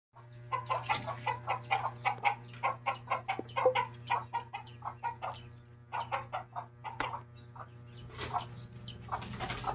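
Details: Mother hen with her chicks: a steady run of short, low clucks about four per second, mixed with thin, high, down-slurred peeps from the chicks, a low steady hum beneath.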